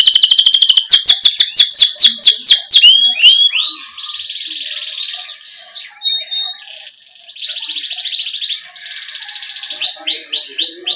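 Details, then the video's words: Canary singing a long 'ngerol' rolling song, used to coach young canaries: fast repeated downslurred whistles, then buzzy sustained trills and warbled phrases with brief pauses between sections. "Masteran Suara Burung Kenari GACOR Ngerol Ini Cocok Untuk PANCINGAN Kenari PAUD Ngeriwik Lekas GACOR"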